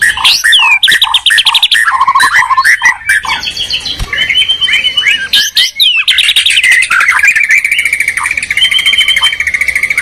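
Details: White-rumped shama duel pitting a Medan bird against a Borneo bird, with rapid machine-gun trills, slurred whistles and a long sustained high whistled phrase near the end, the voices overlapping throughout.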